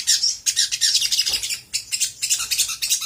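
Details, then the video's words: Sooty-headed bulbul giving rough, harsh chattering phrases in quick bursts, a lure meant to provoke other birds into answering. "PANCINGAN SOGOK ONTONG GACOR KONSLET AHLINYA BIKIN BURUNG BAHAN CEPAT RESPON NYAUT!!!"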